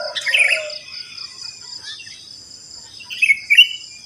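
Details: Post-dawn chorus of sooty-headed bulbuls in a housing complex; a loud burst of chattering notes opens, a quiet spell follows, then two clear rising chirps near the end, over constant insect buzzing.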